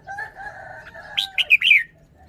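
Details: A steady low two-toned hum underlies a caged red-whiskered bulbul as it bursts into a fast, bright, rising-and-falling warbled phrase near the end.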